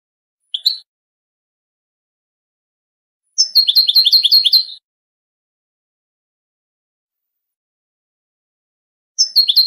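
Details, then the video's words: A goldfinch gives a single high chip, then a quick run of bright, tinkling twitters lasting over a second, and starts another burst near the end, against a silent background. "Songs of the Goldfinch"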